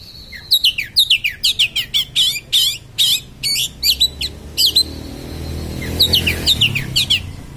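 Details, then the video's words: Sharp-voiced 'konslet' song of an Oriental magpie-robin, meant to provoke other magpie-robins: dense bursts of loud, high downward-sweeping whistles repeated about twice a second, a pause with a thin sustained tone, then more sweeps over faint low hum. "kacer konslet suara tajam"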